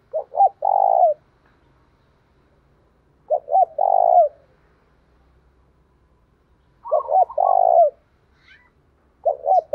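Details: Spotted dove cooing in thổ pha voice, used to set off a captive bird: four loud phrases of short clipped notes running into a long rough coo that falls away, separated by near-silent pauses.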